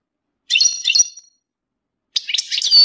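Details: European goldfinch mating calls meant to stimulate males during moult: two dense bursts of bright, liquid twittering with thin high whistles, each lasting under a second.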